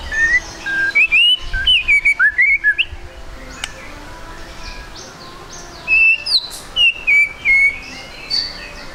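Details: Lure song of a spotted 'trotol' white-rumped shama, meant to get birds singing fast. Bright whistled phrases rise and fall, then a quiet gap of about three seconds, then another burst of clear whistles.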